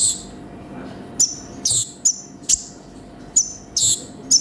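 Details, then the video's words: Konin (sunbird) in energetic 'gacor' form, 'full isian' master song: sparse, very high, sharp chip notes in short bursts, with gaps of near silence between them and faint low background hum. "MASTERAN BURUNG KONIN GACOR FULL ISIAN"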